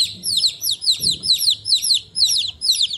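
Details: Chicks peeping: a dense stream of high, thin, downward-sliding peeps from several birds overlapping, about two to three per second, with a brief low rustle near the middle.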